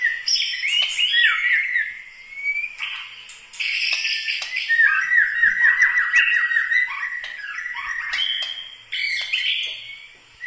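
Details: White-rumped shama, murai batu from Medan, Bahorok, Bukit Lawang, singing its characteristic varied song: rapid repeated descending slurs, high whistles and chatter in bursts separated by short pauses.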